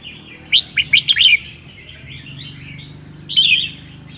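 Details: Red-whiskered bulbul from Sơn La, singing 'ché' on a cold day: a fast string of four or five sharp, sweet whistled notes, followed after a pause by one fuller warbled phrase, over faint low rumble.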